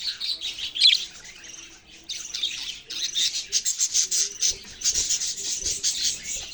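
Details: Budgerigars squawking and chirping: harsh, buzzy bursts and rapid stuttering trains of scratchy notes, pausing briefly before a long run of quick pulsed chatter.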